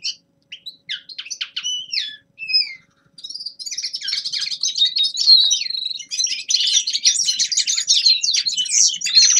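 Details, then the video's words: Young male common linnet giving winter practice song: a few separate downward-sweeping notes, a brief pause, then a continuous rapid twittering of high, buzzy and trilled phrases. "Распевка Реполовов песня Carduelis cannabina birdsong"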